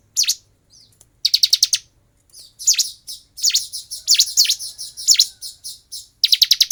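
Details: Bar-winged prinia in fighting mode: bursts of sharp, high chipping notes repeated rapidly in runs of four to six, separated by brief pauses, with no other clear sounds.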